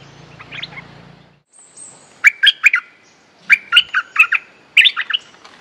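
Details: Streak-eared bulbul, a territorial bird with a strong, aggressive song, delivering quick clusters of sharp, warbling chirps in three bursts after a faint thin whistle; low hum at the start.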